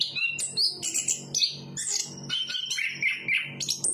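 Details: Chestnut-capped thrush in continuous song, jumbled high whistles and chirps with a few lower slurred notes, over a soft low hum.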